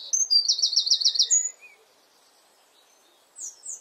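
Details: Eurasian wren singing in a garden near its nest from a favourite perch: a loud, high burst of rapid trills and sharp notes lasting over a second, then quiet before two short high notes.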